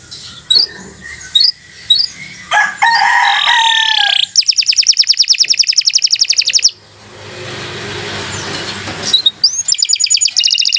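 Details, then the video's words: Atlantic canary in long gacor song, used to coax young or stalled canaries into singing: scattered chirps and varied whistled phrases lead into a long, rapid, even rattle-trill, a pause with low background hum, then another fast trill. "Kicau Burung Kenari 80 II GACOR PANJANG"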